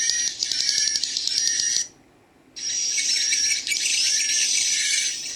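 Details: Played-back swiftlet chicks, their 'ci c c' calls blended with adult swiftlet voices: busy, high, rapid chirping and clicking, broken by a silent gap of under a second partway through, then resuming as a steady shrill chatter.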